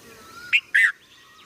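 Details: Red-vented bulbul calling: a brief bright note, then a longer, louder, slightly downslurred note just after, both clear and rich. A faint steady tone runs quietly underneath.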